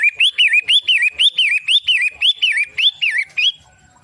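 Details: Long-tailed shrike (pentet matahari) delivers around fourteen quick, sharp whistled notes with a rising then falling inflection, then stops abruptly, leaving near silence for the last half second.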